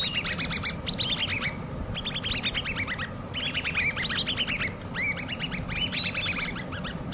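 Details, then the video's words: Hand-reared chicks of the common babbler giving rapid series of shrill chirps in successive bursts, multiple birds overlapping, with a steady low hum in the background. "COMMON BABBLERS( hand reared chicks )"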